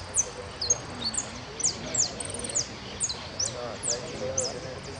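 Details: Goldfinch singing at a singing competition: a steady run of very high, thin, quick sliding notes, several per second, over low murmuring background voices.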